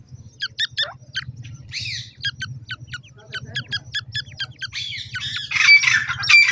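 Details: Francolin chicks pecking at termites while calling: quick sharp chirps in a loose series, then a louder harsh squawking burst near the end over a low background hum.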